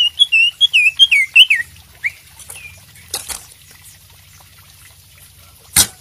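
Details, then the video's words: Green leafbird song meant to stimulate another bird into singing: a quick burst of sweet whistled and twittering notes lasting under two seconds, then fading to scattered faint chirps, soft noise and a sharp click. "masteran cak ijo gacor buat pancingan macet bunyi"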